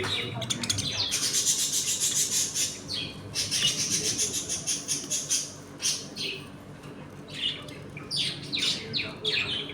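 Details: Several pet budgerigars in a home colony chatter while eating, playing and squabbling: dense, rapid warbling and scratchy chirps that overlap almost continuously, with sharper high squeaks standing out in a busy indoor flock.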